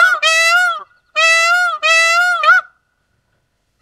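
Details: Indian peafowl (Pavo cristatus) gives three loud, nasal, honking wails, each under a second and slightly rising, the last two close together; species found in India and Sri Lanka.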